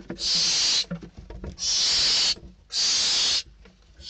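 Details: Hungry barn owl nestlings in Spain squabbling over prey brought to the nest: three drawn-out rasping hisses, the middle one nearly a second long, separated by brief pauses with faint scuffling.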